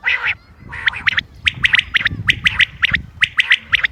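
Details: Common quail calls from 28 May 2025, meant for hunting: one harsh, buzzy opening note, then a fast string of crisp, paired and tripled clicks.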